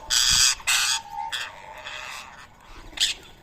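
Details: Rose-ringed parakeets feeding on boiled rice in Coimbatore, India, on a Sunday morning, 31 March 2024. Two loud, raspy, drawn-out screeches of about half a second each lead, then fainter rasping calls and a final short shriek.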